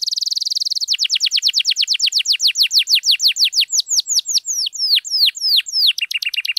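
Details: Canary song meant to coax quiet canaries into singing: a buzzy trill opens, then a long run of rapid downsweeping whistled notes repeated about three times a second, ending in flatter tones.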